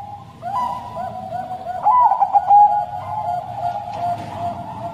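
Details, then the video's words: Zebra dove, Bangkok crossing type, singing its long, mournful song for use as a lure for caged birds. A single trilled, rolling coo phrase sounds midway through over a steady hum and low background noise. "Perkutut Bangkok Suara Sedih Lumayan Panjang"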